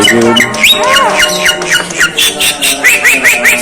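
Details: Javan myna giving strange, unusual sounds: harsh squawky notes mixed with a looping whistle and a run of short rising whistled notes repeated several times a second, over a steady low hum.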